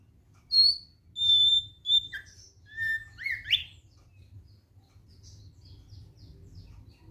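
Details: Thick-billed white-eye giving a relaxed song: a few clear whistled notes, some steady and high, others short slurred rising whistles, delivered in a loose sequence over a low background hum.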